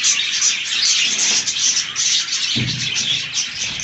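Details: Budgies busy with fresh green leaves give a thick wash of high chirps and chattering warbles, with a low thump partway through.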